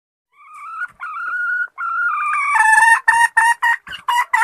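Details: A female red junglefowl calls the male with several drawn, level nasal notes broken by short gaps, then switches to loud abrupt clucking syllables at a quickening pace.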